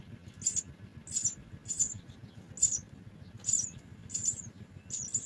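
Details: House sparrow chicks being fed at a nest: short high chirps in bursts roughly every half second to second, steady and repeated over a low background hum.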